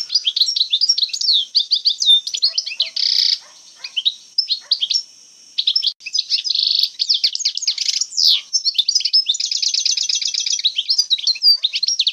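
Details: Old-style wild Algerian European goldfinch song: rapid liquid twitters and metallic chirps, sustained buzzy notes near the three-second mark and again around five seconds, then a long, even rattling trill of repeated notes toward the end.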